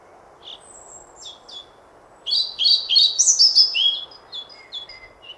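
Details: A European pied flycatcher sings: a soft thin whistle and a few faint notes, then a lively run of high, slurred, falling notes lasting about two seconds, trailing into quieter chips.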